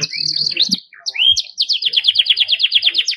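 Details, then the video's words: Belgian canary with strong, sustained song for tutoring young birds: opens with held high tones and a rising whistled slur, then breaks into a quick, even trill of repeated sharp notes. "Canario belga com muita fibra pra encarte"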